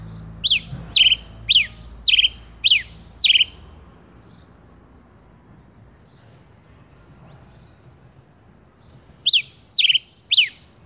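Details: A male rufous-collared sparrow (Zonotrichia capensis) gives a run of six high, downslurred whistled notes, about two per second, then a pause and three more, over a faint low background hum.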